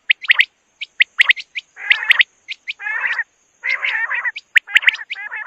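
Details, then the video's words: Quail producing sharp high pips and longer rasping chatter phrases in alternation, over a thin constant high-pitched tone. "Batair ki awaz|quail sound"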